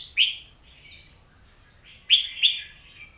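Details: Oriental magpie-robin singing: a quiet warbled phrase, then three loud sharp-onset whistled notes that slide down into sweet sustained tones, with soft twittering between them.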